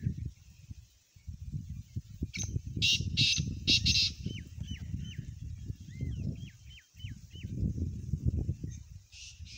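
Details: Black francolin calling close by in front of the recordist: a cluster of harsh, rasping bursts in the middle, heavy low rumbling wind noise throughout, and thin rising chirps from another small bird.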